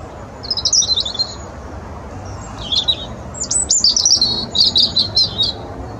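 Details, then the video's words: A European robin at Capstone Park Country Park, Britain, sings short, high, tinkling phrases of thin whistles and trills, each varied and separated by brief pauses, over a quiet background. "Singing Robin"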